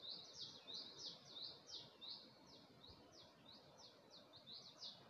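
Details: Bird singing at early dawn in Gulmit, Hunza, facing the Passu cones: rapid, high, bright chirped notes repeated about three per second in a steady run, over a soft background hiss of outdoor noise.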